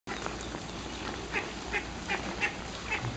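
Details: Ringed teal mother with eight ducklings at Kobe Kachoen, the ducklings hiding under her and following her: short, high, squeaky notes about every half second over a steady hiss.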